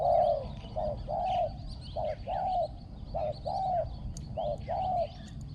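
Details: Spotted dove used to lure wild doves on the ground, described as having a small, ringing voice with strong cooing. Soft coos come in regular pairs, a short note then a longer one, with light chirps above.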